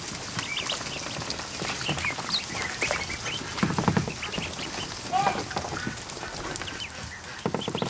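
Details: Over a hundred newly hatched ducklings in a kiddie pool inside a barn, heard in the afternoon; high thin peeps rise and fall in quick overlapping bursts, with splashing and paddling water throughout.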